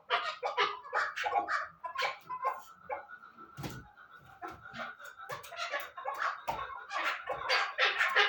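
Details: Chukar partridge uttering irregular bursts of harsh clucks, with a faint steady whistling tone running underneath the middle stretch.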